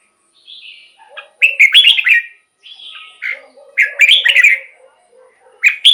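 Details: Red-whiskered bulbul singing, used to rouse caged birds or decoy wild birds; loud rich warbled phrases, each a quick run of liquid whistled notes, repeated after brief gaps, with faint soft notes in between.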